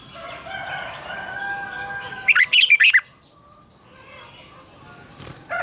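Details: Morning song of a red-whiskered bulbul, long twisted double-voice style used for training birds: a single rapid phrase of five or six sharp, bouncing whistles mid-clip, framed by quieter background calls and a constant high hum.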